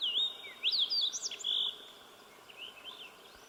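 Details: Slate-colored Fox Sparrow singing along Sawmill Creek, a bird that kept singing for several minutes: loud, clear whistled notes with sharp up-and-down slides in the first second and a half, then softer wavering whistles trailing off over steady background hiss.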